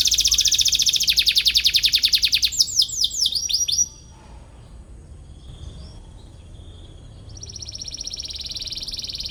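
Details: A canary chirps, seeking a rival, for young canaries to learn from: a loud, very rapid high trill breaks into sweeping notes, a quiet pause, then a softer buzzing trill returns.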